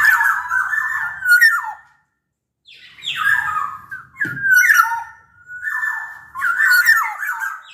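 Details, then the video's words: Lure song of a Sumbawa black-naped oriole meant to make other orioles sing: bursts of nasal, slurred whistles with rough edges, broken by a silent gap of under a second. "Kepodang Lokal Gacor Suara Buat Pancingan Burung Kepodang Agar Bunyi."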